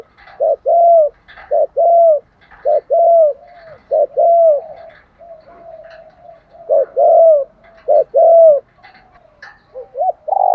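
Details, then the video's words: Spotted dove giving a full luring coo sequence: loud, mellow cooing notes in repeated two- and three-part phrases, each note slightly rising then falling, roughly one phrase per second, with softer linking coos between. "cu gáy thúc gù gáy gọi/ tiếng chim cu gáy đủ bài"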